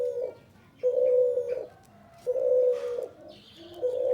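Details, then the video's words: Male spotted dove calling: low, hollow coos held steady for about three quarters of a second each, separated by short gaps, with faint higher chirps from other birds. "SUARA BURUNG CUHU TEKUKUR JANTAN GACOR FULLL"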